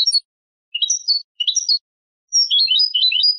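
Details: European goldfinch hybrid song for tutoring young birds: scattered twittery phrases with quick rising and falling slurred notes, a short pause, then a longer jumbled warbling run.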